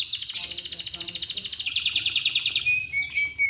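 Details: Atlantic canary morning song used to draw other canaries into singing: a rapid, even pulsed trill that drops to a lower pitch halfway through, then sharp high chirps and short whistles.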